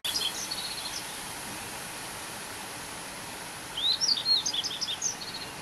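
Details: A resident Yellow-throated Bunting gives high, thin twittering phrases of quick chirps, a brief one first and a fuller one after a pause, over soft background hiss.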